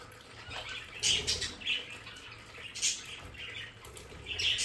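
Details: Several pet budgerigars in a home play area give short, raspy chirps and squeaky notes in scattered bursts about a second apart. Faint background hiss is present.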